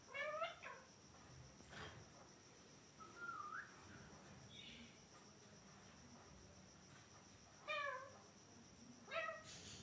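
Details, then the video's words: Pet ringneck parrot giving short, scratchy, speech-like utterances with stacked, downward-sliding harmonics at the start, near the end and once midway, over a steady insect-like background hiss. "Ringneck Talking parrot"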